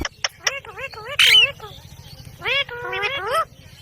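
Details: A talking ring-necked parakeet gives quick clicks, then a chain of wavy speech-like syllables, a harsh rasping burst, and later rising drawn notes over a steady low hum.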